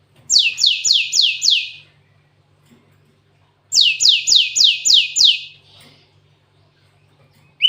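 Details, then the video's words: Cinereous tit delivering song with canary-style filling: two bursts, each of about five bright high notes sweeping downward, separated by nearly two seconds of quiet. "Burung gLatek watu full isian kenari"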